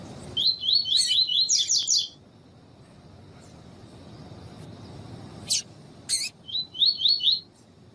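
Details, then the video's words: Double-collared seedeater in song training with female calls; quick runs of high, evenly repeated whistled notes opening the clip, a pause with two sharp chips, then another brief rapid trill of similar notes. "CANTO DO COLEIRO TUI TUI TREINAMENTO COM PIADO DE FÊMEA DE COLEIRO PARA ESQUENTAR COLEIRO TUI TUI"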